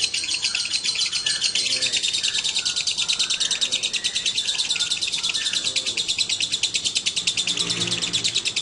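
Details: Lovebirds, male and female brought together, chattering busily in fast shrill chirps, about two per second, with faint lower squawks beneath.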